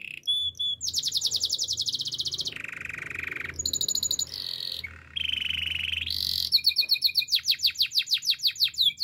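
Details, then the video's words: Canary song for training young canaries: rapid buzzy trills and rolling tours switch every second or so, ending in a fast series of repeated downward-sweeping whistles, faint low hum underneath. "Bird sounds canary chirping! The best canary training song"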